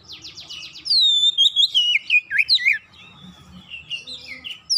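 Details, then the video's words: Oriental magpie-robin singing as a lure for caged magpie-robins: rapid buzzy notes lead into a loud falling whistle and a chain of quick looping whistled notes, fading into softer warbles. "PANCINGAN KACER mudah cepat gacor"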